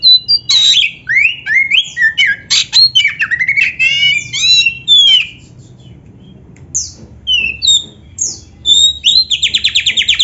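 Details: Kacer or Oriental magpie-robin singing for training other birds; rapid varied whistles and chattering notes for about five seconds, a brief gap, then high whistles and a fast repeated rattling series.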